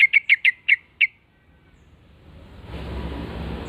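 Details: Yellow-vented bulbul answering a lure call: six short, clear chirped notes at a steady, fairly quick pace, then silence giving way to a rising wash of broadband background noise.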